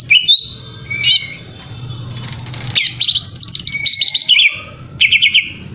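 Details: Greater green leafbird song for provoking a rival: sweet rising whistles, a harsh chatter, then a fast trill of repeated high notes and looping warbled phrases.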